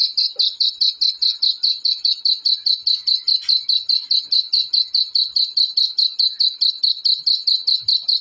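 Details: Chicks of the black francolin peeping continuously: high, clear notes repeated at a brisk, even rhythm of roughly two and a half per second, with a faint click partway through.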